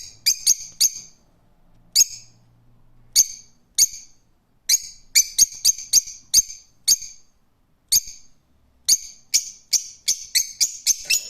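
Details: Rose-ringed parakeet calling persistently with many loud, piercing shrieks, delivered in quick clusters of two to five notes separated by brief pauses.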